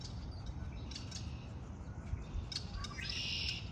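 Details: Spring birdsong, faint and distant: a few thin high chirps early, then a short buzzy, rattling trill near the close, all above a constant low rumble.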